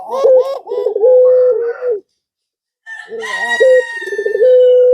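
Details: Male pelung-type Barbary dove calling a female. A rolling, stuttering run leads into a level coo. After a pause another coo comes, overlapped by a brighter, higher drawn-out sound.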